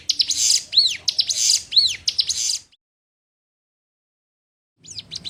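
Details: Sunda warbler singing on a songbird-training master recording showing several song variants: a quick run of high, arching chirped notes for about two and a half seconds, a silent pause, then a fresh burst of sharp notes begins.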